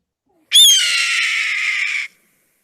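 A Red-tailed Hawk gives one hoarse, raspy scream lasting about a second and a half, starting high and sliding slightly downward. Nothing else is heard.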